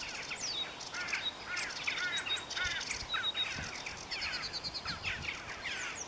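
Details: Marsh warbler, a migrant of dense herbaceous growth along rivers and wetlands, delivering a lively medley of sharp chirps, slurred whistles and rapid ticking trills, steadily repeated with light environmental noise behind.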